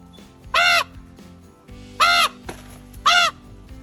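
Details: A rescued, flightless common raven in human care, at least 15 years old, gives three loud, harsh, nasal caws, each about a third of a second and roughly a second apart, over soft music; he uses a special vocalization to greet people he knows.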